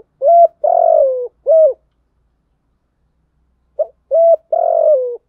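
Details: A spotted dove, used as a lure voice for wild doves, gives two phrases of low, hollow coos, each with a longer drawn-out note sliding downward, separated by a pause of about two seconds.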